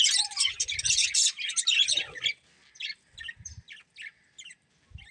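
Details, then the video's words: Colourful budgerigars in a breeding pair chatter loudly for two seconds, then switch to spaced short chirps with quiet gaps and faint low taps. "Colourful Budgies Chirping Sounds"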